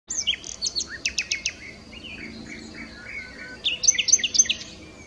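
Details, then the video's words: Nightingale singing: high whistled notes, a quick series of sharp clicking notes, slurred mid-pitched phrases, then a dense high twittering burst at the end. "Bülbül 🐦 Nightingale 🐦"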